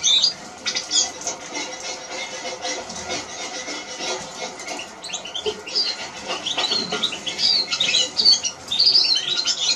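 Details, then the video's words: A Eurasian siskin's song opens slowly, then turns into a run of quick high twittering and squeaky notes in the last half, against constant scratchy rustling noise. "Eurasian siskin Song"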